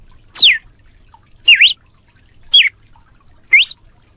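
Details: Red-cowled cardinal singing a lot in the 'canto de açoite' (whip song) style: four loud, clear whistled notes about a second apart, the first sweeping steeply downward, the others wavering and rising, over a faint low hum.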